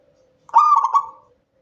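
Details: Indonesian local zebra dove singing at night, used as a lure for training: one stuttered, rolling coo phrase about three quarters of a second long over a faint steady low hum.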